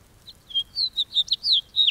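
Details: Part of a house finch song: a few spaced, slurred whistled notes, some rising and some falling, delivered in a loose sequence.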